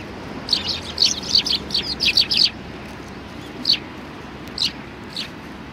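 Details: Sparrows visiting a Tenmangu shrine to be fed, 25 November 2020; a rapid run of bright chirps in the first half, then three single, well-spaced chirps over quiet background.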